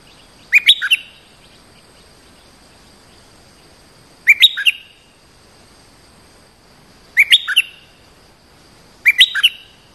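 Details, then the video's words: Bulbul used as a lure, a territory holder that jumps in fiercely to attack: short bright whistled phrases falling from high to mid pitch, four bursts spaced two to three seconds apart over a quiet background. "เสียงนกดอกแตงEp.170 จ้าวถิ่นกระโดดใส่อย่างโหด!! Suara pikat merbah lekir gacor"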